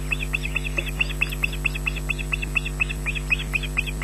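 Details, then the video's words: Begging osprey chick, the smallest of a brood at Loch Garten, Scotland, on a June evening by nest camera, shrieking for food its mother lacks; steady run of short, high, sharp squeals about twice a second, with constant low mains hum. "#3 begs for food"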